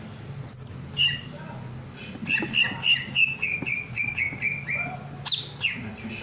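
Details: Greater green leafbird in breeding condition, puffed up, delivers a fast chain of clipped whistled notes that drift slightly lower, framed by sharp high chips and a piercing upward squeak; faint low hum behind.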